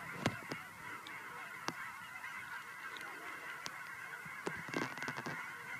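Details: Distant flock of geese coming home to Fern Ridge in March 2012: an unbroken murmur of many overlapping honks, punctuated by sharp ticking clicks, including a rapid cluster toward the end.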